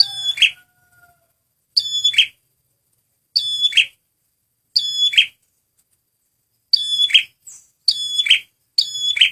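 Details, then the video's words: Lure recording of a male red prinia: crisp, repeated high phrases, each a bright harmonic whistle dropping into a rasping buzz, given seven times with gaps of one to two seconds, otherwise quiet background. "SUARA BURUNG PRENJAK MERAH PEMIKAT GACORRR"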